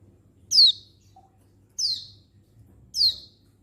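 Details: Three piercing, downward-slurred chirps from a female Oriental white-eye calling males, recorded 19/11/22, about one and a quarter seconds apart, with faint low background hum.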